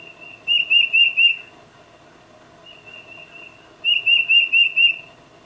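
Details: Calling to its mate, a tufted titmouse gives a loud phrase of four rapid whistled notes, a soft drawn whistle, then a five-note phrase. Recorded with a Nikon D800 and 600mm lens in quiet surroundings.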